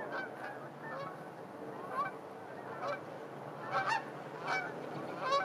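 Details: Geese honking at a park during a winter sunset, several short nasal honks scattered through the clip over steady wind noise and distant traffic rumble.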